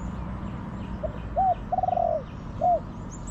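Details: Wild spotted dove responding to a decoy in a garden; a soft lead note, a short coo, a long pulsing rolled coo, then a clear final coo, with faint high chirps of small birds.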